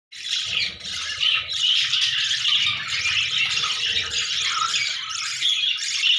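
Budgerigars chatter nonstop in a dense, scratchy stream of high squawks and warbles.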